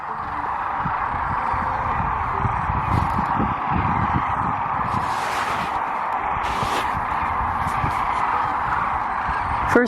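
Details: Sandhill Cranes: a dense, steady chorus of rolling, trumpeting calls from a huge flock of perhaps 100,000 about to take off from their roost on the Platte River near Kearney, Nebraska, during spring migration on a sunny day, with people talking and wind noise.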